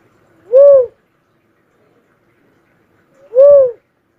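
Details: Cuckoo-dove, locally called uncal: two loud, hollow, arched whooping notes that rise and then fall, spaced about three seconds apart, in a quiet setting.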